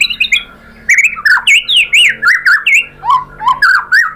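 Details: Murai batu song aimed at getting birds to answer: a few soft high notes, then a loud string of looping, up-and-down whistles repeated in a steady pulse.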